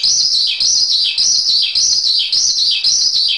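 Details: Jalak suren, the Javan pied starling, in a masteran recording: bright, dense chatter in steady phrases, each ending in a falling slur, recurring about every half second.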